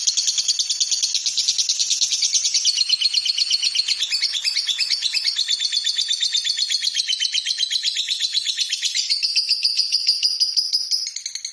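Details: Lovebird song used as a master recording for training other birds: a long unbroken high chattering trill of rapid buzzy notes, shifting slightly in pitch throughout, with no pauses.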